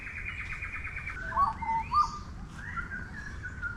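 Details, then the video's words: A Grey Butcherbird sings a few clear, rich piping notes in quick succession on a morning bird walk at Samford Eco-corridor near Brisbane, Australia, over softer chatter and trills of other small birds and low background rumble. "That song just there is the Grey Butcherbird."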